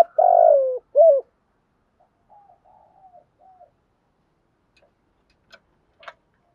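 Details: Spotted dove used as a decoy to call in wild doves: a long rolling coo sliding lower and a short coo, followed by soft quieter cooing notes and faint distant clicks.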